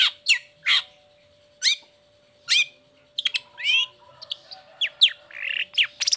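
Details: Long-tailed shrike song meant to prompt reluctant or moulting shrikes to sing: spaced sharp descending chirps at first, then a quicker jumble of twisting whistles and scratchy notes, with a constant faint hum.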